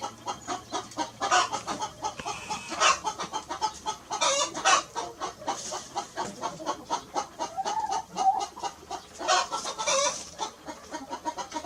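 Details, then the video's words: Hen giving continuous low clucks in quick succession, rising into louder clustered bursts at intervals, with other farmyard fowl sounding together in a dense, lively mix. "hen clucking"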